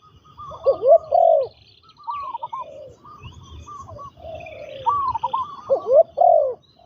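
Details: Decoy spotted dove trained for ground luring, calling gruff two- and three-note coos, several phrases overlapping, with high thin bird calls in the background.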